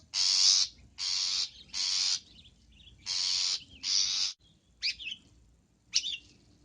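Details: Long-tailed shrike singing a filler-rich song: five harsh, buzzy rasps in a fast run, followed by two short, sharp chirps.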